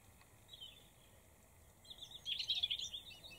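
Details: Eurasian blackcap, male and female, in Kherson region, Beryslav district, on 4 September 2019; after quiet background, a short burst of high, rapid, twittering warble notes builds and grows louder over the last second and a half.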